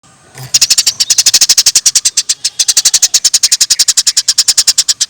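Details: Eurasian tree sparrow, lively singing, for training songbirds: a steady run of sharp, high chirps, about nine per second, with no pause for nearly five seconds after a faint start.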